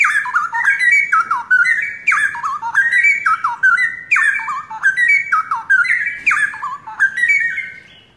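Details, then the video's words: Young forest-origin pair of straw-headed bulbuls, long kept in captivity, singing actively: loud, bubbling whistled phrases that step down then jump back up in pitch, repeated roughly every second without pause for eight seconds. "Cucak Rowo Pasangan Muda Hutan...Gacor..."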